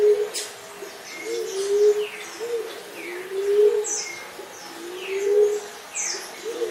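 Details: Low, mellow coos of a Common Emerald Dove repeated at short, slightly uneven intervals, while other birds add thin whistles and down-slurred chirps in the background.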